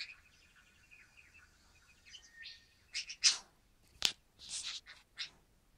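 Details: Very active male budgie, new to the flock on its first day at home in December 2013, warbles softly in wavering notes, then breaks into irregular loud scratchy chirps and clicks.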